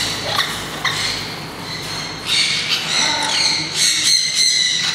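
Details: Harsh screeching calls from green-cheeked parakeets newly let out into an open aviary zone at a Kakegawa bird park in Japan. Rasping notes come in short, irregular bursts, some rising or falling, over a low mechanical hum.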